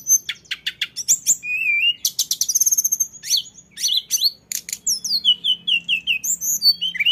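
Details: Lesser shortwing in 'ngeroll' rolling song: a dense, hurried jumble of sharp high ticks, quick trills and slurred whistles, with barely any pauses and a faint low background hum.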